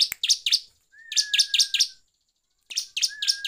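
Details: Bar-winged prinia singing loudly, used as a provoking lure for other prinias: three clusters of quick, buzzy chirps repeated at a steady pace, with a thin level whistle under the middle and final groups.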